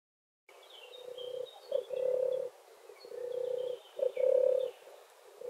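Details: European turtle dove: low, soft purring phrases, several drawn-out throaty trills repeated in a row with brief pauses, faint high bird chirps in the background.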